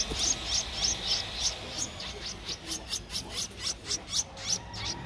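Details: Streak-eared Bulbul chick, 13 days old, recorded in Ubon Ratchathani, Thailand, in April 2023, giving thin high chirps about three or four a second in an even series, with quiet rumbling background.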